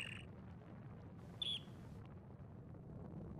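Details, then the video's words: Dunlin on a windy day in Härjedalen, Sweden, gives a single short, high, slightly buzzy call with a faint note at the very start, over steady rushing wind. "Kärrsnäppa läte. Dunlin Call. Alpenstrandläufer Ruf."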